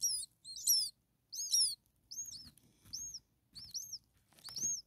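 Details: Starling babies, six a few days old, begging hungrily in the nest: long, scratchy high chirps at first, then clean arched peeps about every second, with soft shuffling underneath.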